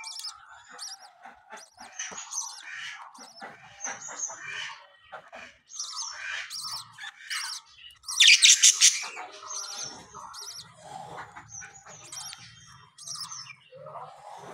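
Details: Home-kept budgerigars, new babies just hatched: continuous busy chattering of high chirps, warbles and harsh notes from several birds, with one loud rasping burst near the middle.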